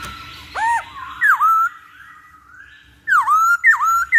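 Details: Masked laughingthrush recording used to make birds sing soon: clear whistled phrases, an arching note, then several loud down-up swoops repeated rapidly near the end, with a steady faint whistle tone between.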